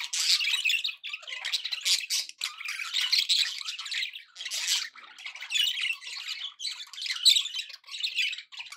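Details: Continuous cheerful budgerigar chatter from pet birds: scratchy warbling and chirping runs, crowded and busy, barely pausing for eight seconds.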